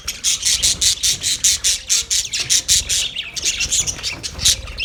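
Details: Australian budgerigars chirping in a quick, pulsing series of harsh squawky notes, roughly one per beat, from a crowd of parakeets calling together.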